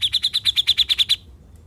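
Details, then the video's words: Grey-cheeked bulbul (cucak jenggot), a formerly silent bird now singing freely, giving a besetan: a fast series of about ten sharp, bright chip notes, evenly spaced, stopping abruptly. "Besetan Mantul ! Cucak Jenggot Bisu Jadi Gacor"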